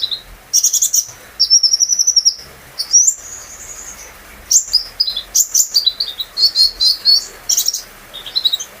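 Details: Kept brown-throated sunbird giving lively song meant to coax other birds into singing; fast stuttering chirp runs, a long thin high whistle near three seconds, then clustered squeaky notes over faint background hiss.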